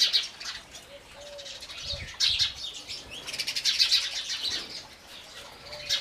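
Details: House sparrows giving dense bursts of high, scratchy chirps that swell and fade in clusters, with a faint low tone running underneath.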